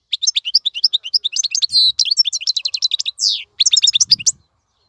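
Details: Goldfinch singing a tutor song meant for young birds to learn: fast, continuous twittering of high chirps broken by buzzy rasping notes and a short pause, ending with a quick tinkling run.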